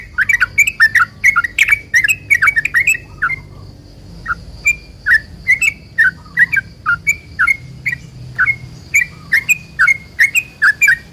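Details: Yellow-vented bulbul performing a long rapid-fire song as a lure so other bulbuls answer: lively bursts of quick, bubbly, slurred chirps, briefly pausing, then resuming in steady, chattering phrases throughout.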